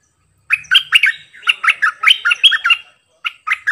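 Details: Sooty-headed bulbul kept as a decoy bird, known for singing many songs. After a silent start it gives a long stream of lively, bubbling, warbled notes, pauses, then adds a short closing phrase.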